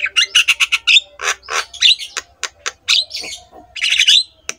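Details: Javan myna in full song as a master recording to coax quiet mynas into singing: a quick series of sharp clicks, then grating squawks and chattering phrases with a few whistled notes.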